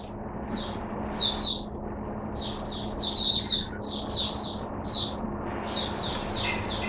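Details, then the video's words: Captive Oriental white-eye recorded on 5 May 2022 giving high, sweet chirps and brief twittered groups, some notes doubled, against a constant low hum and faint room noise. "Mata Puteh Hercules V1 buka sing"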